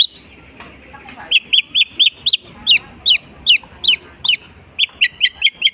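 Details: Long-tailed shrike singing borrowed phrases of other birds: repeated whistled notes in quick series, shifting to sharper downslurred calls, then a faster run of short chips.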